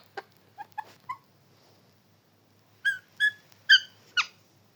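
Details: Short clipped syllables from a talking parrot, first a few quick soft chirps, then after a pause a row of louder, sharper chirp-like sounds.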